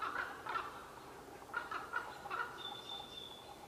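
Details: Ravens, two unseen birds in trees at Qualicum Beach, May 23, 2011, in a chatty, occasionally contentious exchange; a few short clucking knocks in two bursts, then a long thin high whistle from another bird over faint hiss.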